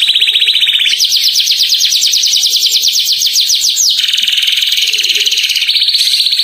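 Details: Canary song used to lure other canaries into singing: long, loud trills of rapid, evenly repeated high notes, with abrupt changes of pitch and speed between rolling phrases, delivered continuously without pause.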